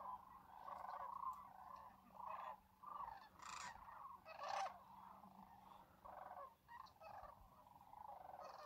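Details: Distant wintering Sandhill Crane flock at Whitewater Draw, Arizona, sharing the lake with a campground; soft rolling calls come in separate swells of a second or so, with brief sharper notes between.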